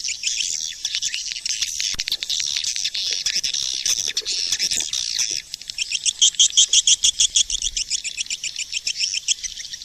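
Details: Lure call of swiftlets, SP4 version dated 2020: continuous shrill chattering twitter for five seconds, then loud regular bright chirps repeated roughly three times a second.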